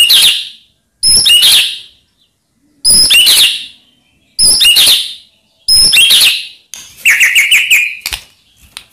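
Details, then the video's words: White-rumped shama singing to provoke rival birds: loud phrases of sharp, high chirps repeated roughly every one and a half seconds, ending in a rapid buzzy trill. "Ampuh Buat Murai Lain Terpancing Emosi Seketika Insyallah Langsung Nyaut"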